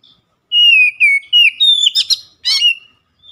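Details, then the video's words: Loud ngeplong song from an Oriental magpie-robin: four smooth whistled notes, then two grating chattering bursts and a final rough note that drops into a short whistle. "PANCINGAN HARIAN KACER NGEPLONG GACOR SUARA KERAS"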